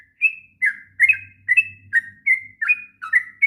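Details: Long sooty-headed bulbul song meant as a model for young birds, made of clear whistled and warbled phrases about every half second, alternating higher and lower notes, with a faint low hum behind.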